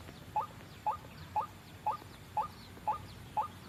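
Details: White-breasted waterhen call played as a trapping lure: brief rising notes repeated at a regular half-second interval, seven in a row, over soft background hiss.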